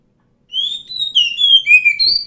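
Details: Oriental magpie-robin, a wild forest bird, singing a smooth series of whistled notes that rise and fall, linking sustained tones and downward slurs into a flowing phrase on a quiet background.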